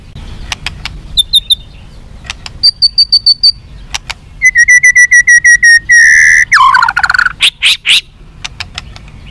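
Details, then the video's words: Tame white-rumped shama kept without a cage, singing a varied song of clear whistled notes, rapid repeated chips and a loud rising-falling slurred phrase, with sharp clicks between phrases. "BURUNG MURAI BATU JINAK TANPA SANGKAR JERUJI‼️Keistimewahnya burung murai batu"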